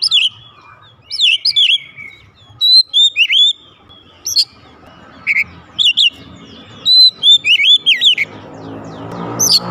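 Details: Home-kept oriental magpie-robin singing loudly in reply, with clusters of sharp chips and wavering whistled phrases spaced by brief gaps, and a soft rustling noise near the end.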